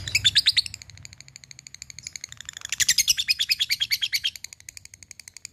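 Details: Bird calling out to a rival, in the fighter style known locally as ngetik and ngekek: a fast, even run of high, sharp chattering notes, about three per second, rising into a denser burst midway then ticking on steadily.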